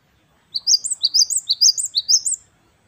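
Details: Gelatik batu wingko, the great tit, delivers wucit wucit kristal song: a two-second string of shrill paired notes, each rising and dropping, evenly spaced, then silence.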